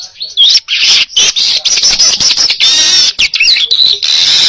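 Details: Baya weaver song for teaching other birds: an almost continuous loud harsh buzzing chatter broken by short gaps, with squeaky whistled slurs at the start and near the end.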